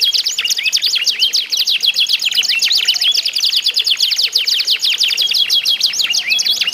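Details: Competing canaries singing together to coax other canaries into song: an unbroken, bright chorus of rapid descending chips and rattling trills, with brief whistled slurs woven through.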